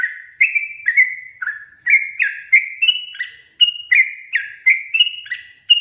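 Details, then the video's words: Lure recording of a yellow-vented bulbul meant to prompt quiet young caged bulbuls to answer and sing: chortling whistled notes in quick pairs, stepping up and down in pitch, roughly one burst per second, clean background. "Pancingan Trucukan SUSAH BUNYI, BAKALAN dijamin dalam menit saja langsung NYAUT GACOR"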